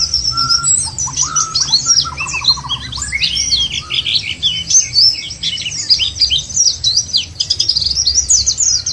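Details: White-eye song used as a lure to make white-eyes sing: long, busy high warbling of tumbling chirps and twitters, with a short lower whistled phrase and a buzzy trill early on.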